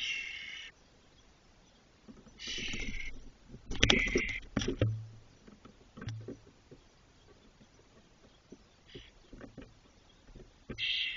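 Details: Fully feathered Spotless starling nestlings, 21 to 22 days old, moving about a nest box in Doñana National Park, Spain. Scattered raspy, noisy bursts mix with thumps and scuffling knocks as the young birds shift inside the box.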